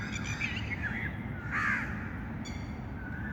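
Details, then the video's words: Overlapping bird calls, some with a nasal, harmonic tone, and a louder harsh cry about halfway through, set against a continuous low-frequency rumble. "birds chirping sound"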